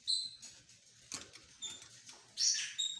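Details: Green opaline lovebirds give shrill, squeaky chirps in short bursts, with a louder cluster of harsh notes near the end and light rustling between.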